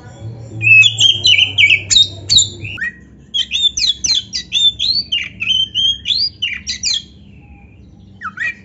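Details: Caged Oriental magpie-robin (kacer) in full song, used to rouse silent birds by hearing a rival sing: fast strings of rich whistles and scratchy chattering notes, a brief gap, then a long run of rhythmic slurred phrases over low hum.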